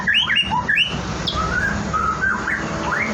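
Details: White-rumped shama, a bird-farm bird in its morning routine before bathing: quick clear whistled notes slurring up and down, followed by a few long, drawn-out whistles over steady low background hum.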